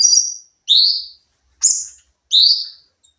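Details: Training recording of a sooty-headed bulbul singing in nembak style: four high, clear whistled notes in quick succession, each about half a second long with a bright upper layer and a slightly rising lower tone, separated by brief gaps.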